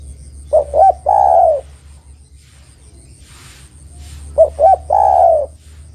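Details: Female spotted dove calling a male, two phrases each of a pair of short coos leading into a long descending coo, separated by a brief hiss and low hum.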